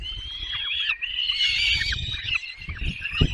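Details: Nestling peregrine falcons in the Barycz Valley, Poland, 6 May 2021, calling during a long feeding. Continuous shrill, wavering whines overlap from several chicks, with a low thud near the end.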